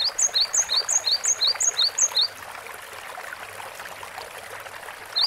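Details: Cinereous tit in vigorous, lively song on a long training recording: a quick run of about ten sharp two-note whistled phrases, each a rising stroke then a higher note, repeated rapidly for two seconds before a pause over soft hiss.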